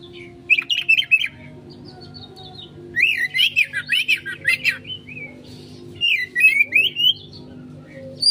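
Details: Oriental magpie-robin singing loud, rapid warbled and whistled notes in three bursts, each a string of quick rising and falling phrases. A constant low hum runs underneath. The song is meant to draw a fast response from other birds.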